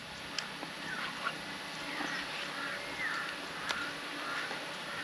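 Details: Many crows calling around a lakeside campsite at Cavinti, Laguna, Philippines; hoarse 'wak' calls, several short harmonic notes scattered through the clip over steady background hum.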